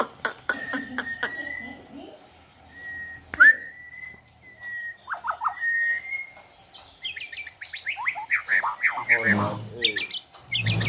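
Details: White-rumped shama singing vigorously with imitations of wild animal sounds: sharp clicks, level and rising whistles, then a rapid jumble of varied chattering and trilled phrases, with some background noise.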